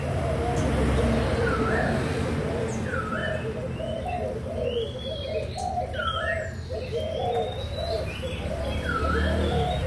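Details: Young Malaysian and Thai spotted doves, June 2021, keep up a dense low cooing chorus; over it come dipping whistles and brief sharp chirps from other birds.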